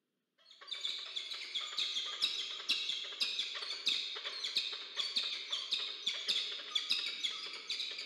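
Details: Peregrine falcon pair meeting at their nest in Orange, New South Wales, Australia, filmed by a nest camera on 6 April 2024. Harsh, ringing harmonic notes sound in rapid succession, several per second, continuously for about eight seconds.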